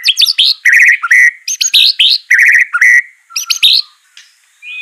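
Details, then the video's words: White-rumped shama singing, used to train a bird that is slow to sing: short bursts of clear whistles and buzzy chirps in rhythmic groups, with brief pauses between phrases. "Gak Perlu Lama Murai Batu Malas BUNYI Pasti LANGSUNG NYAUT NARUNG dan GACOR"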